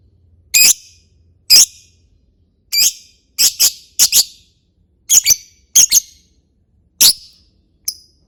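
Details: Lovebird ticking chatter, "ngetik" style, played as a lure: short sharp clicky high chips, single or in quick pairs, spaced irregularly about one per second against a quiet background.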